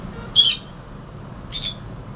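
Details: Pet conure, a noisy new family member, giving two short harsh squawks about a second apart over a steady background hiss.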